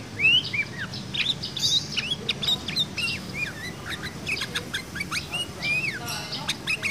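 A sooty-headed bulbul sings a rapid, varied stream of whistles copied from magpie-robin song.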